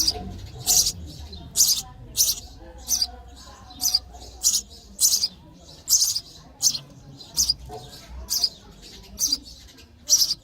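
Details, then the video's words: Sparrow chicks in the nest chirping for food while being fed: sharp, high, bright chirps in a steady series, about fourteen in ten seconds, with a faint low murmur underneath. "Baby sparrow chirping sound for food"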